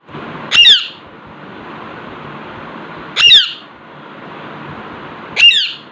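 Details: Alexandrine parakeet indoors, sitting in front of a mirror, giving three loud, harsh squawks spaced about two and a half seconds apart over a steady low room hum.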